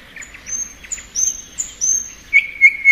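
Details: Spring song of a thrush nightingale: thin, high drawn-out whistles alternating with softer lower notes, ending in three loud, clear repeated whistled notes.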